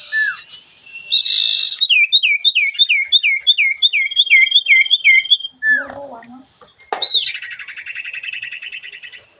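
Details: Sooty-headed bulbul in full 'dor ngentrok' song: a buzzy burst, then a quick run of curling whistled notes repeated about three per second, with a pause and a scratchy trilled phrase at the end.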